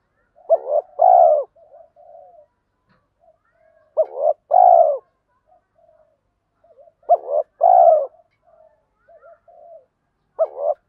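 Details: Male and female spotted doves giving cooing calls used to rouse trained doves: three two-part phrases, a short rising double coo then a long rolling falling coo, with soft murmured notes between.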